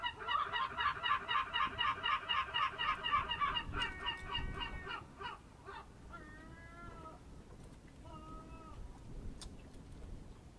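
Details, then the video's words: Birds of the Amvrakikos National Park area on the Ambracian Gulf, Greece, at a fishing harbour on the Ionian Sea, early morning at 07:40 on 27 March 2026: rapid nasal honking notes, about four per second for four seconds, then two drawn-out nasal calls over low rumble. "Birds from the Ambracian Gulf"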